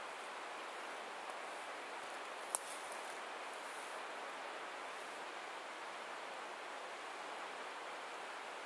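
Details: Steady outdoor rustling hiss with a single sharp click, and no animal voice.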